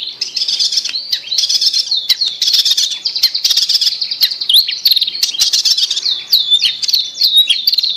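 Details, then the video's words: Long-tailed shrike song meant to prompt a shrike that will not sing. Dense, scratchy high warbling runs without a break and is mixed with swooping whistled notes that rise and fall, more of them toward the end. "Pancingan Cendet Macet Bunyi"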